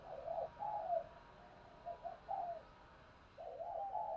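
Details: Decoy spotted dove calling to prompt wild doves to coo: repeated soft, low cooing phrases with brief pauses between them, set against a steady background hiss, heard outdoors.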